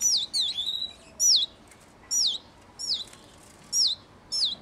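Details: Hand-reared canary chick during its first ten days out of the nest, giving loud, high cheeps that sweep sharply downward, about seven in under five seconds at uneven spacing, against a quiet background.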